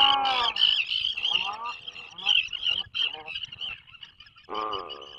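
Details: Atlantic puffin inside a breeding burrow off the coast of Maine, 2024 season, live nature camera: several short harsh moaning bursts with falling overtones, broken by pauses, then a final buzzy groan, all over a loud steady high-pitched background tone.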